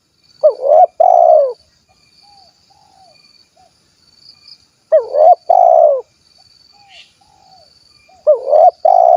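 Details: Cooing spotted dove, kuk 1 style, recorded in Cilacap, Central Java: three two-part phrases about every four seconds, each a bent hoot followed by a drawn-out throaty coo, with soft distant chirps and a thin high whine between.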